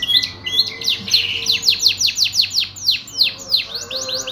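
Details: A canary sings a quick sequence of sharply falling high whistles, evenly repeated, with a few wider sweeps near the end over low room hum.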